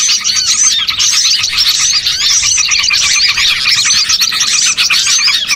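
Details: Small birds calling as a lure to draw birds in for catching, among them bulbuls and other small birds; a busy, unbroken mix of sharp high chirps, rising and falling whistled slurs and twitters from many birds at once.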